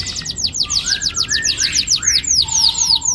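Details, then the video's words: Domestic canary delivering a long rolling song used to stimulate young birds to sing: fast repeated descending chirps, several per second, over a soft sustained lower whistle, bright and continuous. "Pancingan kenari gacor NGEROL PANJANG AMPUH cocok bikin BURUNG KENARI PAUD GACOR LANGSUNG"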